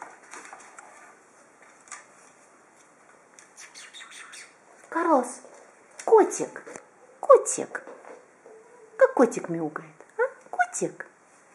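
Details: Green-winged macaw (Ara chloropterus) playing on a table indoors in March 2014 gives irregular croaky, nasal squawks and short chattering notes, roughly one a second, with light clicks and tapping in a quiet room.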